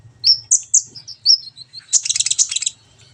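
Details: Brown-throated sunbird song on a training recording meant to get a bird singing and chattering: several thin, high, sharp whistled notes, then a fast buzzy trill of rapid chips lasting under a second, over a faint low hum.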